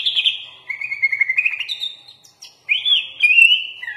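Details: Kutilang, or sooty-headed bulbul, in full-isian gacor song: a warbling chatter of fast whistled notes, a brief pause, then a rich, rolling, upswept whistle followed by quicker sweet notes.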